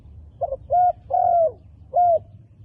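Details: Wild dove with dark black plumage: a brief double note, a short coo, a long sliding coo, then one more short coo, all low and mellow.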